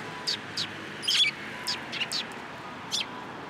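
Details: Sparrows collecting in a cherry tree at a Tenmangu shrine, 21 March 2023, utter crisp high chirps with one louder, fuller twittering note, the calls spaced irregularly and easing off toward the end, with quiet background hum.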